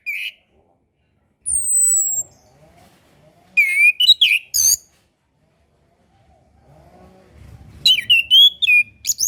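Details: Master song of the orange-headed thrush for young birds still learning: a thin high drawn-out whistle, then clusters of quick looping whistled notes, a silence, and a further run of rising and falling whistles.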